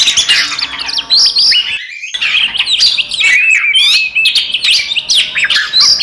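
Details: Oriental magpie-robin in combative song for provoking other magpie-robins: rapid, busy whistled notes and sharp high chirps, broken by a brief abrupt silence, then a tumbling run of varied phrases.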